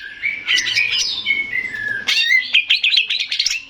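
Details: Male greater green leafbird song used as a lure to make other birds respond, opening with slurred whistled phrases that dip and rise, then breaking into a quick run of sharp chattering notes.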